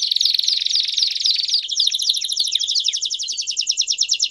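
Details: Belgian canaries in a group chorus to encourage singing: fast repeated down-slurred notes, then a higher rapid rattling trill that pulses steadily to the end.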